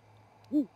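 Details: Great horned owl pair at dawn, 07:25 MST, at a Charlo, Montana osprey nest perch: the male arrives, his mate follows, and they call back and forth before roosting. One short, low, arched hoot over a steady low hum.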